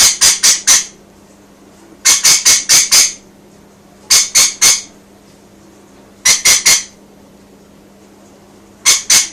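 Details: Pet rainbow lorikeet indoors, calling toward birds outside: bursts of three to five harsh, high, rasping screeches, each burst spaced about two seconds apart, with a faint steady hum in a quiet room between bursts.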